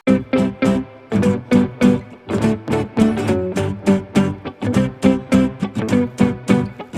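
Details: Strummed acoustic guitar plays a rhythmic chord pattern throughout, with no animal sound heard.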